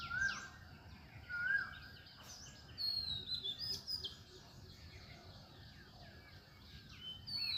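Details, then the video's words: Morning birdsong at sunrise: scattered high chirps and brief whistled notes come and go among quieter stretches, with a few louder bursts near the start and middle and a soft rumbling background throughout. "সকালবেলায় সূর্য ওঠার মুহূর্তে পাখির ডাকে মুখরিত পরিবেশ"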